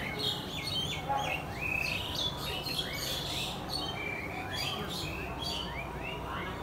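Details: A couple of house sparrows, filmed on phone, form a busy chorus of short, bright, high chirps overlapping almost constantly over a low background hum.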